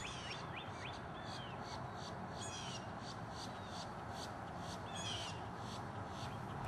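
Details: Bald Eagle in the Florida Everglades, at its nest with a baby about 10 days old, giving thin, high, piping chirps that drop in pitch in scattered short bursts, over a steady low rumble.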